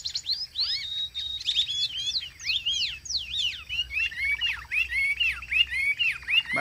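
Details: Chinese hwamei kept as a songbird: rich, varied whistles sweeping up and down, followed by quicker warbled phrases.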